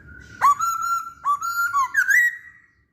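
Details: Masked laughingthrush singing as a lure for other birds, giving loud, level whistled notes broken by brief dips and ending in a rising, slightly buzzy slur.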